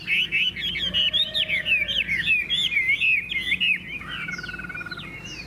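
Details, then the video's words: A Chinese hwamei sings well, giving a rich, fast run of varied whistled phrases slurred up and down, ending in quick repeated notes; no other sounds stand out. "Họa mi hót hét tốt"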